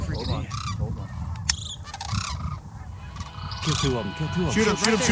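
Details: Sandhill cranes, a flock decoying in during an early-morning crane hunt on the hunt's last day, give overlapping rolling, trumpeting calls building toward the end while hunters talk excitedly over them.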